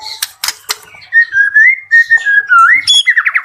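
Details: Bird-farm white-rumped shama: a few sharp clicks, then a long, wavering whistled note drawn out over two seconds, ending in quick rising chirps.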